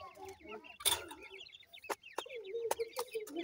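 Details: Francolin chicks chirp in quick, high, downslurred notes, run together in the middle, with lower, drawn-out clucks and several sharp knocks toward the end.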